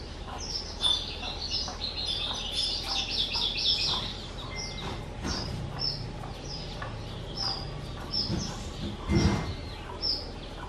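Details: Kept skylark aged two, recorded 18 April 2023, singing a brief burst of fast twittering, then spaced single high chirps, amid clattering knocks and handling noises.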